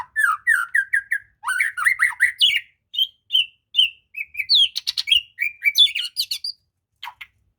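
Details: White-rumped shama song played to coax a reluctant bird into singing: a series of short whistled notes repeated several times, then rising and falling phrases and sharp high clicks, ending with brief pauses.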